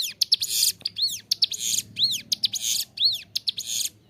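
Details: Captive ciblek gunung, the bar-winged prinia, in full song for songbird training: loud buzzy rattles mixed with arched whistled notes rising and falling, delivered in quick, uneven succession over a faint low hum.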